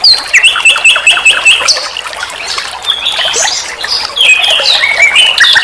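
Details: Sikatan londo, given as the nightingale, on a songbird training recording: a string of level whistled notes repeated four times, followed by a varied run of high slurred whistles and chirps.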